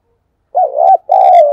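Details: Rainy-day decoy spotted dove whose cooing is meant to make sluggish decoy and fresh-caught doves answer: a clear two-phrase coo, a dipping first note and a longer even second note, with a faint buzzy overtone.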